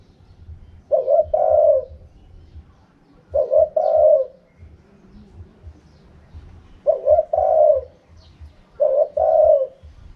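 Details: Spotted dove giving the wild-style cooing known as kharom pa, described as easy to pick out: four low, hollow two-part coo phrases spaced a few seconds apart, with a faint low hum behind.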